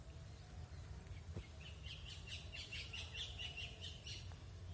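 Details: Outdoor birds give quick, high twittering chirps, about four per second, from just under two seconds to about four seconds. A persistent low droning noise sits beneath, and there is a faint click near the start.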